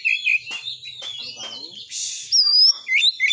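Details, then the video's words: White-rumped shama song meant to raise shamas' fighting spirit: whistled notes and chatter, a harsh hissing rasp, then clear undulating whistles and short high phrases. "TEMBAKAN BURUNG KACER GACOR FULL MATERI .AMPUH BUAT NAIKAN EMOSI KACER, langsung gacor tarung.."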